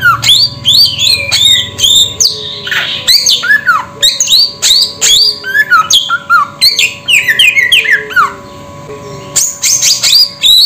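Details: Samyong bird delivering a long varied run of loud whistles, downward slurs and harsh squawky notes in irregular bursts, with a low steady hum throughout.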